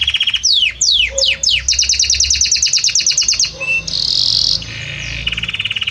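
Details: Varied Belgian canary song with a harmonious voice: several sharp downward-sweeping notes, then a long quick series of high repeated chips, a brief buzzy note and a rolled trill to finish.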